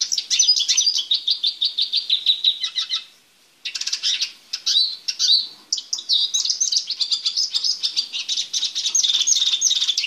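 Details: Caged male Eurasian siskin, being readied for mating before joining a female, delivers rapid high twittering: a stream of repeated chirps, a short pause, then a busy mix of trills and slurred whistles that runs to the end.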